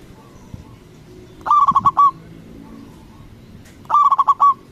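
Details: A loud local zebra dove calls to stir other doves into replying. Two rapid rolling phrases of bubbly coos, each ending in a longer note, are heard with soft distant cooing and a low rumbling background.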